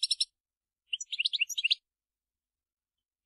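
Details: A European goldfinch out in the field calling to its kind: a quick triple of tinkling notes, a pause, then a rapid burst of liquid twittering chirps, followed by silence and one final chirp.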